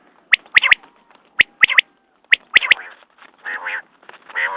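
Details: Three clipped triplets of sharp, bright notes at steady intervals from a quail, followed by softer, rougher nasal bursts toward the end.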